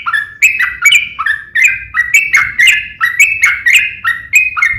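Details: Fighting song of a yellow-vented bulbul, used to make other bulbuls sing in response: loud, bubbly two-pitched phrases, each a low note jumping to a higher one, repeated about twice a second.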